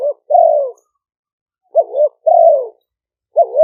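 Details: Spotted dove decoy bird of a Malay line, singing in the karom style with a mid-deep voice, recorded at a dove camp in Roi Et, Thailand, to attract wild birds. Mellow hollow coos, a wavering note and a long falling one, repeated after short gaps.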